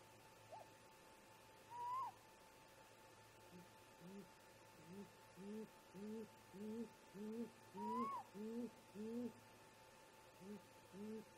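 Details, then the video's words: Wild great grey owl parents calling to each other near their snag nest around 4:25 a.m.: a run of about a dozen deep, evenly spaced soft hoots, plus two higher rising-then-falling whistled calls. "Great Gray Owl - Parents Have a Talk"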